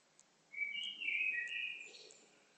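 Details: Songbird singing a short warbled phrase: sliding whistled notes at middle-high pitch, ending in a brief higher twitter and fading into quiet.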